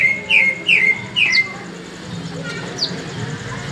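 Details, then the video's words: A tame, brown-breasted sunbird, known locally as kolibri ninja, singing actively. It gives three sharp, high chirps that slide downward in quick succession, then two fainter thin notes, over a low background hum. "Kolibri ninja dada coklat jinak gacor"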